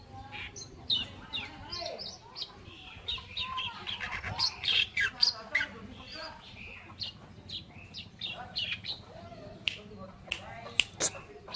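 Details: Oriental reed warbler, kerakbasi alis putih, in a masteran song recording: a long, rapid, jumbled stream of harsh chattering and squeaky notes, uneven and loud in spurts throughout.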